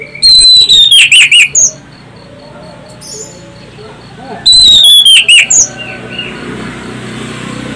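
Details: Orange-headed thrush song meant to prompt other birds to sing: two bursts of loud high whistles, each opening with a long falling note followed by quick trilled notes, with quiet chatter between.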